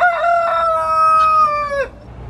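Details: A rooster at a petting zoo at a cheese factory in Tillamook, Oregon, on a foggy, misty morning, part of a group crowing since 5 a.m., gives one loud, drawn-out crow of nearly two seconds ending in a sharp downward drop.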